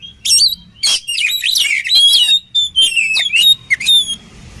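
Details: Combination song of an oriental magpie-robin used to train others: dense, loud, rich phrasing of whistles, rattling trills and sweeping notes. Short gaps appear near the end, where pure ringing tones stand out.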